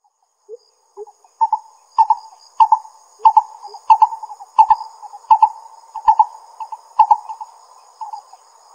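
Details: Lesser coucal in Pingtung County, Taiwan, recorded 22 May 2016: paired hollow low notes repeated steadily about every half second, with softer lower notes at the start and a faint high steady hum behind.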